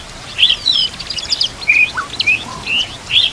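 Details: White-rumped shama song with complete isian fill-ins, meant as a training master, with water trickling behind; bright whistled notes and quick twitters alternate in short bursts.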